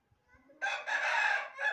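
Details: Red rooster sitting in green grass on a farm crowing: a soft rising lead-in, then a loud, strained, broad crow held about a second, ending with a short final syllable.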